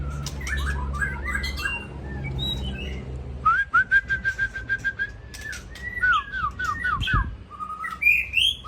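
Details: Aceh white-rumped shama evening song, rich whistled notes broken by short pauses, a steady string of repeated clipped notes, then swooping bright phrases climbing higher toward the end.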